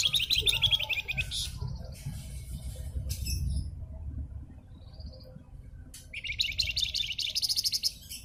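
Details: Javan fulvetta song used as a training recording for cage birds: fast, dense bursts of high chirping trills at the start and again near the end, separated by a quieter gap with low rumbling background noise.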